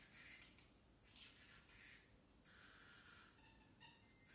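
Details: Baby parrotlet kept as a pet, practising talk that is said to be mostly "tickle tickle"; scratchy high-pitched syllables in quick runs, then thinner tonal chirps toward the end, against steady low indoor hum.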